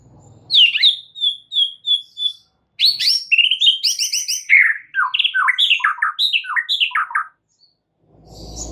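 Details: White-rumped shama song used as masteran training audio for stressed birds: clear whistled note repeated about five times, then a fast run of varied rising and falling whistles, chatters and trills over a quiet background.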